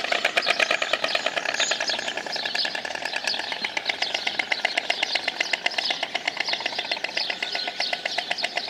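White storks clatter their bills in a fast, dry, wooden rattle of many clicks, sustained for several seconds with slight swells in intensity.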